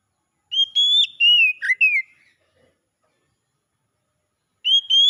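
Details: Whistled song of an Oriental magpie-robin, used to bring a bird that has gone quiet back into song: one long phrase of high, gliding notes with a low dip near the end, then the next phrase beginning.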